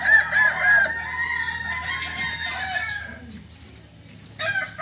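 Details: Kokok Balenggek chicken from Solok, West Sumatra, famed for a crow in many levels; a tiered crow with a few clear whistled steps at the start, dwindling into quieter wavering notes, then a new crow starting.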